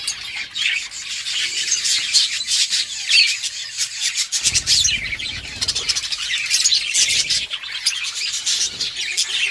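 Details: Budgerigars chirping while playing with each other, recorded October 30, 2023; dense, overlapping high chatter of many birds with scratchy squawks and warbles, plus occasional wing flutters and low thumps.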